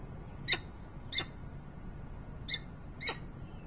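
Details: Nest-site peregrine falcon, Harrisburg, Pennsylvania, late November 2020: four short, rasping chip calls in two loose pairs about half a second apart. A quiet stretch in the middle and a faint low hum behind.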